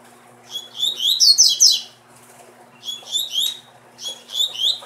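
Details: A captive male double-collared seedeater sings three bursts of high, rapid, twittering notes with sweeping whistles, each about a second long, against a faint steady hum.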